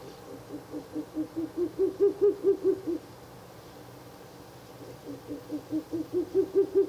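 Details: At a nest box on the night of 16 April 2024, third night of visits, a Ural owl gives two rapid bursts of soft, even hoots, each growing louder, separated by a quiet gap of about two seconds.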